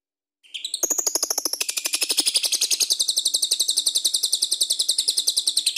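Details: Energetic lovebird in ngekek song, used to spur other birds into singing. It opens with a short rising squeak, then a rapid, even stream of sharp, high chattering notes, roughly three to four a second.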